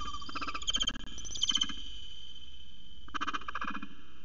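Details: A peregrine falcon on a nesting ledge, on 12 January 2020 as the bird tiptoes along the ledge with prey, gives short, harsh, nasal call notes in a few quick bursts over a steady low rumble of wind or traffic.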